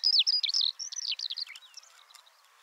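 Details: Eurasian skylark (Alauda arvensis), a small lark noted for loud, melodious singing, heard in a rapid, unbroken stream of high chirruping, trilled and slurred notes, strongest in the first second and then fading away over under three seconds.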